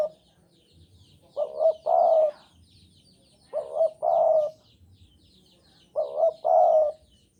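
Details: Spotted dove of the Javanese type in breeding mood coos three times, roughly every two and a quarter seconds. Each phrase is a short quavering note followed by a longer full hoot, with faint twittering from small birds behind.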